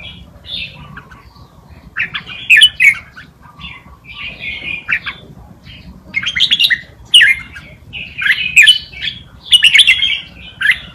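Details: Red-whiskered bulbul giving forest-style tutor song for young birds to pick up: spaced groups of clear whistled and chirpy phrases every second or two, separated by quiet gaps.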